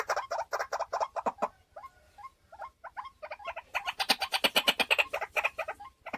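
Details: Caged white-breasted waterhen used as a decoy: harsh croaks with softer, upslurred notes in a quieter middle stretch. The bird then breaks into fast, bright chattering repetitions.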